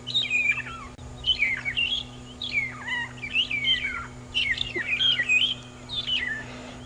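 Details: Magpie shrike (long-tailed shrike) at Djuma Game Reserve, 6 September 2015, on an afternoon safari drive: clear, liquid whistles and chirps swooping up and down in short phrases about every second, over a steady low engine hum.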